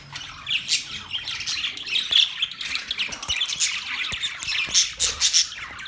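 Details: Budgies chattering busily, with rapid squeaky chirps, clicks and brief whistles layered over one another in a constant high warble and a few sharper peaks.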